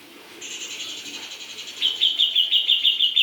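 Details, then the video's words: Grey-cheeked bulbul singing a quiet high buzzy trill that grows louder and turns into bright, sharply repeated whistled notes, about three a second, near the end. "Cucak jengot gacor"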